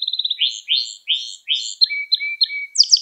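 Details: Canary singing as a lesson for young canaries: a quick run of clipped notes, rising swooping phrases repeated about every half second, then a thin sustained whistle and a closing burst of trills.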